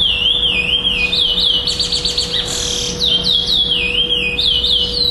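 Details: Curió, the chestnut-bellied seed finch, competing at a singing tournament in Florianópolis, Brazil, 11 December 2011, where it took second place with a 'preto clássico' song without repetition. Looping whistled notes are broken by a fast buzzy rattle midway, then the looping whistles resume. A faint constant hum underlies it.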